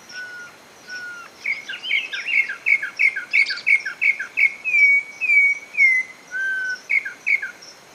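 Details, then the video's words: Campo troupial song: a run of clear, mid-pitched whistled notes, some slurred, at about two per second, with thin high chirps from other birds above. "VEJA AGORA O CANTO DO (Corrupião e Corrupião-de-baltimore)"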